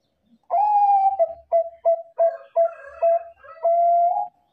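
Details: Bangkok-type zebra dove cooing as a lure to draw replies from other doves: a long mellow coo, then a run of six short clipped coos, closing on a drawn-out slightly rising coo. Quiet background.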